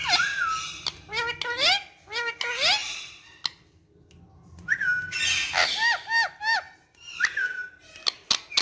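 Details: Pet ringneck parrot talking: a rapid run of chattering, harmonic-rich syllables with swooping whistled tones, two bursts separated by a short pause, sharp clicks between phrases and a low steady hum underneath.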